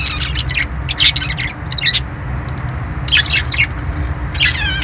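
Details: Parakeet chirping in two busy bursts of squeaky high notes, quieter in between, with a few rising warbled tones near the end and a low hum throughout.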